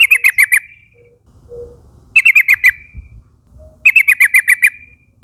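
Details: Yellow-vented bulbul (trucukan), young forest birds calling flock mates to join in: three loud bursts of five to six quick bubbly notes, each trailing into a short level tone, roughly every two seconds.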